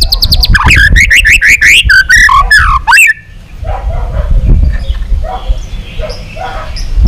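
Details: White-rumped shama delivering a fast, rich song for long-song training and provoking rivals. Dense, bubbling, slurred whistles tumble rapidly for three seconds before stopping abruptly, leaving soft, distant chirps and low background noise.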